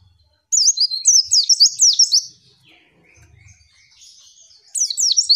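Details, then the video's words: High, rapid twittering from a female white-eye, sung to tutor birds into singing: a lively two-second run of slurred up-and-down chirps, a quiet gap, then a fresh burst at the end. "MASTERAN PLECI LANGSUNG BUKA PARUH"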